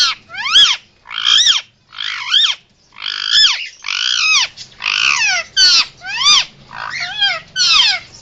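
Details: Emergency calls from a pet male Indian ringneck: a steady series of grating, arched screeches roughly every two thirds of a second, each a loud rasping rise and fall.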